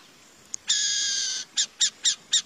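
Burrowing owl gives a long, harsh hissing screech, then four short rasping notes about a quarter-second apart; nothing else is heard.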